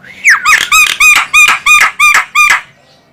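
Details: A female Javan myna gives a call used for luring birds: a falling whistled slur, then a steady string of eight loud, harsh, ringing squawks about three per second.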